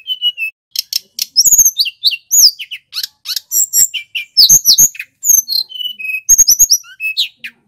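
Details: Little pied flycatcher male, a local Banyuwangi bird, in loud, clear, long song used for tutoring and luring: a fast, dense medley of high chips, twittering notes, dry clicks and slurred whistles with barely a pause.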